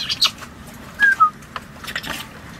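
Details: Pet female African grey parrot living aboard a sailboat in the Caribbean: a brief high chirp, then two short clear whistled notes, the second lower than the first, with faint clicks and rustling around them.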